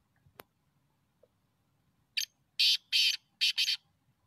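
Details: Black francolin call used in teetar hunting. After a soft click and near silence, a five-note rasping phrase follows: a short opener, two long harsh buzzes and a quick paired ending, lasting about one and a half seconds.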